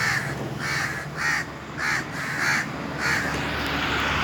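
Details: Indian crows cawing on top of a tree in the summer heat, a series of about seven softer, hoarse caws set against a steady, fairly loud background hiss and low hum.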